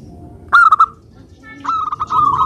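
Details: Local zebra dove singing, a recording meant to lure and provoke other doves into answering: two short bursts of rapid, rolling cooing notes, the second phrase longer and wavering.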